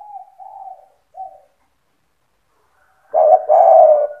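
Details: Spotted dove singing to provoke rival doves into calling; a few soft broken coos at the start, a pause, then one loud phrase of a short coo and a long falling coo.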